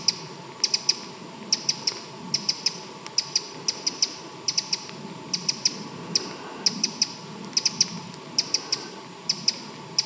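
Eurasian wren giving hard, dry ticking notes in quick clusters of two or three, roughly once a second, over a low steady background rumble.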